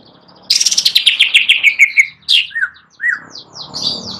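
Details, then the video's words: Greater green leafbird singing gacor on a perch: a quick descending trill of bright notes, then slurred downward whistles and scratchy high twitters over faint background hiss. "Cucak Ijo Gacor Nagen (nyawan di tangkringan)"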